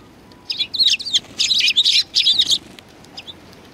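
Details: Several sparrows arriving to be fed at a Tenmangu shrine, 7 February 2020: a dense run of quick overlapping high chirps for about two seconds, then a faint single note.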